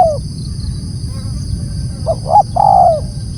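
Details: A spotted dove call: the tail of one falling note, a pause, then two brief rising coos and a long descending coo, set against low rumbling noise and a faint high tone.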